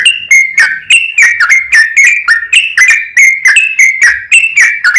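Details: Yellow-vented bulbul lure song to set other bulbuls singing: lively run of quick whistled notes, alternating higher and lower slurs, about three to four notes per second throughout.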